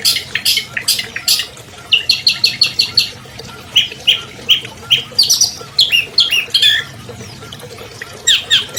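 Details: Long-tailed shrike, albino, a 2020 champion, used to coax silent caged birds into singing: sharp scratchy bursts open, then rapid ticking notes and a series of short dropping chirps in quick succession.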